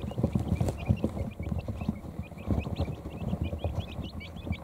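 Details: Quail chicks a few hours old, tired after eating and drinking, settling under a heat plate in a brooder; a steady stream of thin, high, short peeps repeated rapidly, over dense low knocking and shuffling thumps.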